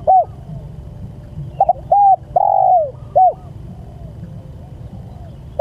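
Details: Spotted dove calling to its companions, giving a brief coo, then a stuttered note, a level coo and a long downward-curving coo, followed by a quick arched note; low rumbling hum underneath throughout.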